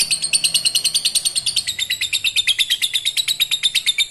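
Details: Lovebird song to stimulate breeding: an even, rapid train of high, raspy chirps at a steady pace throughout, over a faint low hum.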